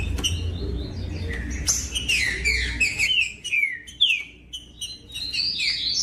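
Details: Green-winged saltator song used to get captive birds singing firmly: a busy opening of overlapping high notes, then separate downward-slurred whistles and a final rising phrase, with low rumbling background early on.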